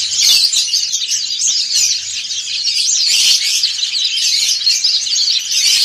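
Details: White-eyes of dakun and montanus types sing ngriwik all together. Fast, bright twittering and squeaky chirps from many birds form a dense, unbroken chorus that rises and falls slightly in loudness.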